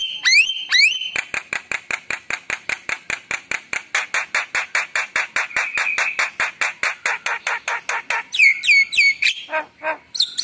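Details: Javan myna delivering a long, fast series of sharp clicking notes at several per second, opened and closed by clear slurred whistles and squeaky phrases.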